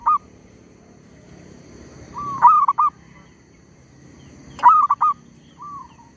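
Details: A zebra dove used as a decoy to lure wild birds keeps calling despite being disturbed by a tree squirrel, giving short bursts of mellow, trilled cooing about every two seconds over a soft hum.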